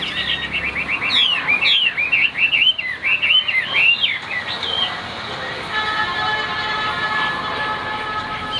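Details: Caged Chinese hwamei in Vietnam singing a fast run of wavering, twisting whistles for about four seconds, then fading into a steady hum with faint background tones.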